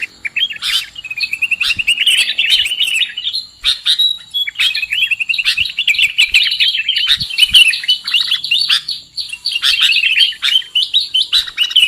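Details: Sooty-headed bulbul call for luring birds into traps: a sharp chirp, then rapid rolling runs of warbled whistles building into a dense, continuous chatter, with scattered faint clicks.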